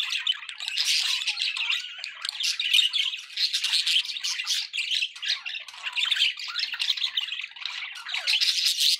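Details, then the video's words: Pet budgerigars keep up lively overlapping chatter, bright squeaky chirps and rasping squawks in quick irregular bursts, a busy high twittering wall throughout. "budgie sounds"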